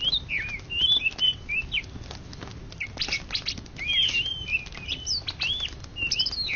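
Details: Greater green leafbird, Indonesia's top contest singer of 2013–2014, singing a lively run of looping whistled phrases and short downslurs, broken by bursts of crisp clicking notes.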